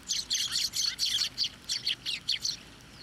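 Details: Sparrows at a Tenmangu shrine, 24 November 2023, fed on posts and by hand. About a dozen sharp, scratchy chirps come in a quick steady run, roughly four per second, close and loud.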